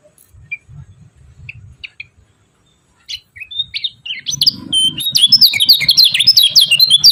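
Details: Lemon-bellied white-eye (kecial kuning) giving its 'ciak ciak' chirping, meant to rouse quiet rival birds into song. Scattered thin notes at first, then after four seconds a dense run of rapid, high, sharp chirps, about three or four per second.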